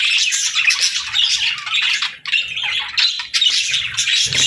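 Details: Budgerigars chattering as a flock: rough, buzzy chirps and squawks pour out in overlapping bursts, broken by a short quieter gap partway through, then louder chirping again.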